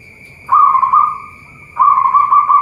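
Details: Local zebra dove, bird farm in Boyolali, Central Java: two mellow trilled cooing phrases, each about a second long and about a second apart, with a thin constant high tone in the background.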